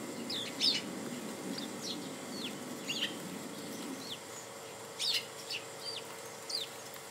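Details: Japanese white-eye at home giving thin, high, short chirps, many slurring downward or arching, scattered singly and in small clusters over seven seconds, against a soft low hum that fades after four seconds.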